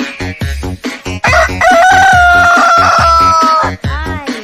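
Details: Single long rooster crow, a strong sustained level note held for about two seconds before stopping abruptly, set against a pulsing musical beat.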